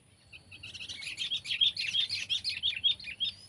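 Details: Sooty-headed bulbul (kutilang), Pycnonotus aurigaster, Indonesia: a few soft opening notes swell into a quick, bubbling string of high chirps and short whistles, repeated about three times a second, over a faint low hum.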